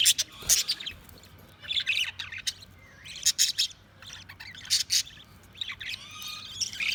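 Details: Busy budgerigar chatter of harsh squawks, clicks and short whistled slides, coming in uneven bursts over a low steady hum.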